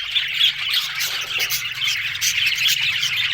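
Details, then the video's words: Chattering budgerigars, harsh squawks mixed with rapid high twitters and a few clear whistled notes, many birds calling at once without pause. "Talking Budgies parrot"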